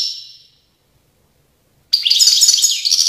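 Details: European goldfinch from Tiaret, 2019, ending one twittering phrase, falling silent for over a second, then launching a dense, loud run of chattering, tinkling high notes.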